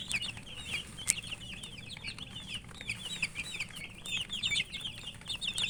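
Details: Chicks cheeping as they feed, quick high notes that wobble and slur downward, crowding together in lively runs, with a loud tap near the start and faint hum.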